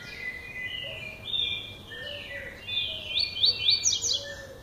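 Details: Lined seedeater, a male starting to sing in the classic song style: slurred whistled notes that run into a quick burst of high, rising, repeated notes near the end, over faint background hiss.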